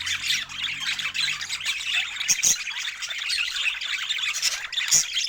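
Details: Budgerigars chirping over fresh food in natural Scandinavian light: continuous raspy twittering chatter from a flock, punctuated by sharp clicks and brief high whistles.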